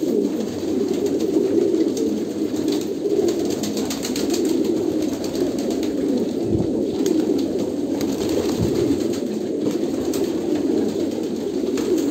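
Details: Kolkata pigeons keep up a dense chorus of low coos, with brief dull thumps near the middle and end and light clicking throughout.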